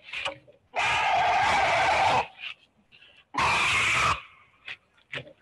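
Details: An incubating Great Blue Heron, attacked at 3 a.m. by a great horned owl in Savannah, Georgia, gives two long, harsh, rasping screams, each over a second, in defense of its nest; brief room noises and murmurs between.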